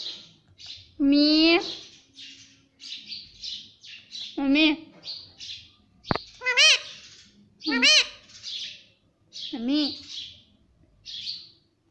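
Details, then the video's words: A talking pet parrot (mitthu) said to say mummy and papa: several loud, rich, arched word-like utterances spaced a few seconds apart, mixed with many short, breathy, high chirps between them. "Parrot talking mummy Papa"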